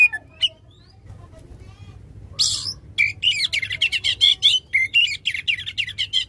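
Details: Loud song of an Oriental magpie-robin, used to stir a magpie-robin that has stopped singing. A few scattered notes and a harsh rasp give way to a fast run of sharp chirps and rising whistles.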